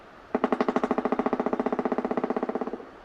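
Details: A Pileated Woodpecker in the Ottawa area, Canada, drums on a very hollow surface. About thirty rapid, resonant knocks come in under three seconds, steady in pace and fading slightly at the end.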